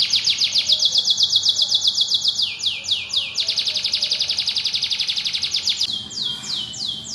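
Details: White canary singing vigorously: fast series of high, sharply down-slurred whistled notes, about four per second, shifting between trill phrases of different pitch, with a brief buzzy rolled passage near the end.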